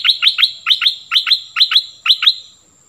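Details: A cream-vented bulbul kept as a decoy sings a rapid, regular string of sharp, high, ringing chirps in quick couplets, repeated steadily for over two seconds before fading out.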